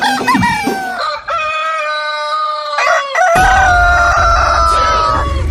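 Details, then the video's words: Hens give a loud, drawn-out, nasal call that holds a steady pitch with rich harmonics for several seconds, opening with a short burst of rough clucking and broken by a brief gap. "HENS FUNNY SOUND"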